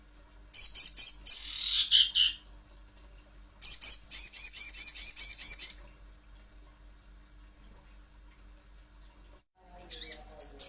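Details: Little spiderhunter lure recording. Rapid high chittering bursts, one sliding downward at its end, then a longer run of quick repeated sharp notes. Several seconds of quiet follow before a final short burst.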